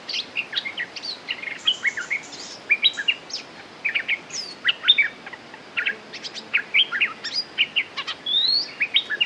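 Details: Red-whiskered bulbul song used as a lure, from a territorial bird: lively, rapid, chirpy whistled phrases with quick rising and falling notes, tumbling continuously over a steady hiss.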